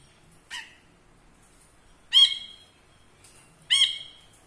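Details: Ashy bulbul kept as a tutor bird for other songbirds, performing in front of the camera; three harsh, buzzy, rich-toned notes spaced irregularly over a few seconds, against a quiet background.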